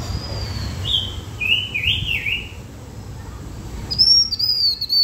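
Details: Blue-winged minla singing to lure birds: a thin high whistle, then a quick series of warbling, up-and-down notes, later a run of rapid high whistled notes; low background hum throughout.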